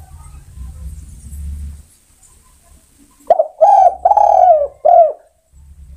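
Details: A quiet lead-in, then a spotted dove calling to other doves with four rich, hollow coos, the middle ones long and rolling, the last short and clipped.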